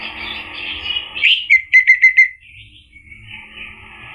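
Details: Orange-headed thrush singing to provoke a male: a soft warbled phrase, a sharp upslurred note, then five evenly spaced clear whistled notes, followed by quieter whistling.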